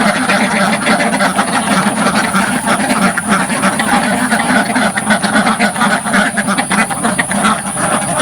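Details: Dozens of ducks in a village farm pen, recorded right at the front of the pen, quacking loudly in a dense, continuous chorus of overlapping harsh calls, with a steady high hiss above.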